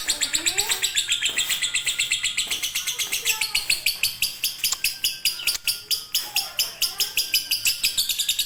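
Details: Lovebird fighter singing konslet style as a master for reluctant birds: nonstop shrill chirping trill, fast and even, with occasional lower whistled slurs and faint voices in the background.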